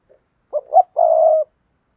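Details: Spotted dove call used as a decoy to provoke other doves: a faint soft note, then a short coo, a rising coo, and a long level coo held for about half a second. Clean, with no other sounds.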